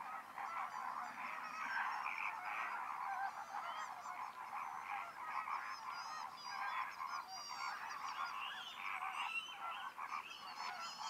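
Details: A flock of greater flamingos at Lagunska ribogojnica nature reserve on 4 January 2024 gives a continuous, overlapping chorus of goose-like honks and nasal gabbling, steady with no pauses.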